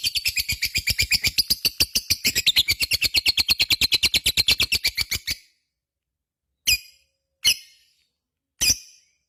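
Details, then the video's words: Lovebird in full-song condition, kept as a pet, rattling off a long ngekek chatter of fast, shrill, buzzy notes for over five seconds, then three isolated sharp chips after a pause. "SUARA BURUNG LOVEBIRD GACOR,Jago Ngekek Bikin Lovebird Apapun Langsung Ikutan Nyaut Ngekek Koekk"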